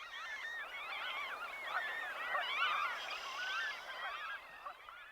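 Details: Franklin's Gulls wailing at Lonesome Lake beside wheat fields, Chouteau County, Montana, USA, early morning of 5 June 2025: a dense chorus of many overlapping nasal, wailing calls, rising and falling, with no pauses between them.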